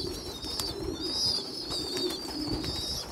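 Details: Young pigeons feeding, the smallest feeding the stronger ones: a long, drawn-out high wavering squeal, nearly unbroken, over low cooing.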